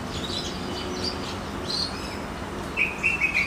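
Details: Goldfinch mule singing: high, thin chirps and short twittering notes scattered through the phrase, ending in a brighter rapid trill, over steady low background hum.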